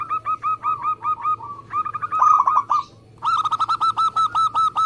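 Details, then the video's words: Local zebra dove in good form, rapid tight song used to prompt caged doves to sing: steady strings of loud, evenly repeated burry coos, broken by one short pause midway. "Perkutut lokal gacor Speed rapet"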